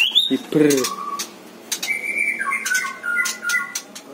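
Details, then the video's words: Stone magpie raised at home indoors, giving a series of clear whistled notes, some held level and some stepping down in pitch, between short sharp clicks and a brief harsh burst early on. "Stone Magpie sounds"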